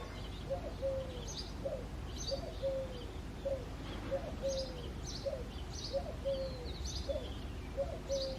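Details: Eurasian collared dove cooing on a foggy February early morning, three-part phrases with a long middle note repeated steadily about every 1.8 seconds, while small birds chirp faintly in the background.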